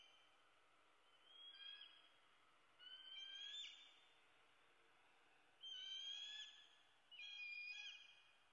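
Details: Begging screams of a young bald eagle calling for food, Southwest Florida, USA, 8 May 2016 at dawn: four separate shrill whistled screams, each about half a second to a second long, spaced by quiet pauses.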